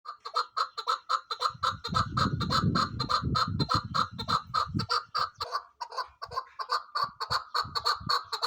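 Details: . Female chukar partridge calling: a long run of sharp, clucking chuk notes repeated rapidly, nearly two per second, with a throaty low rumble beneath the opening half.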